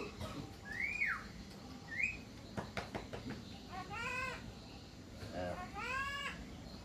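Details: Javan myna in lively, nonstop chattering form: clear whistles that rise then drop, followed by harsher nasal notes with stacked, falling tones, repeated several times with short pauses.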